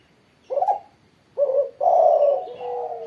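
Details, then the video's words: A spotted dove after morning sunning gives a short coo, then a pair of notes running into a long, loud, sustained coo. "burung tekukur derkuku gacor setelah jemur pagi"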